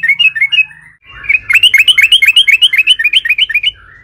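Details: Yellow-vented bulbul in full long song, used as a lure to get other bulbuls singing: a few short whistled phrases, a pause, then a fast rolling run of bubbly, rising notes, about four per second, with faint low hum beneath.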